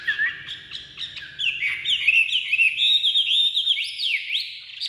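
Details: Chinese hwamei kept in a cage, freshly released from its carrying box and singing nonstop: rich, varied whistled phrases with fast rising and falling slurs, some notes repeated quickly, loud and clear.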